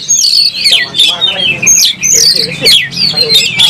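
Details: Aroused oriental magpie-robin, tail spread for a fight, delivers clear high whistles that slide downward, mixed with sharp chips and softer low warbles.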